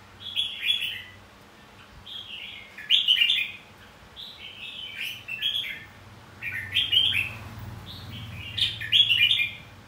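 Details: Red-whiskered bulbul contest song used to stimulate singing; five distinct warbled phrases spaced about two seconds apart, each a quick rising-falling flourish, with a low hum beneath.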